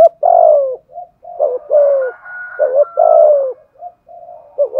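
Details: Decoy spotted dove with a local-style voice cooing hard: close, loud, low coos with long downslurred notes and short clipped ones, run together almost continuously, with a faint higher tone in the middle.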